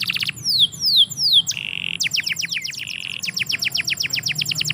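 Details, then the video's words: Canary singing in a yard: three falling slurred whistles, a steady buzzy note, then a fast run of repeated downward sweeps ending in another buzzy hold, over a faint low hum. "KICAU BURUNG KENARI - DIPEKARANGAN"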